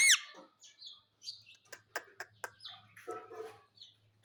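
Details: A pet parrot in a happy mood opens with a loud rising squeal, then gives sharp clicks, short chirps and scratchy chattering notes in an uneven string, with a faint low hum behind.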